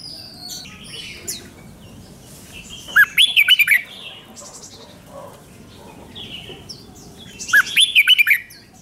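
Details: Red-whiskered Bulbul, a caged Thai songbird, gives its doubled five-syllable song. Two clear, slurred whistled phrases of quick up-and-down notes arrive about four and a half seconds apart, with light chirping around them.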